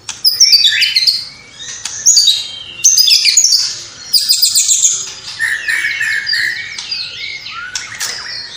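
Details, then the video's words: White-rumped shama singing briskly, its song filled with copied calls of house sparrow, fighting lovebird, kapas tembak and cililin. Bursts of rich, varied whistles and fast chattering notes come in loud phrases separated by short pauses. "Murai Batu Gacor Isian Gereja Tarung Love Bird Kapas Tembak Cililin"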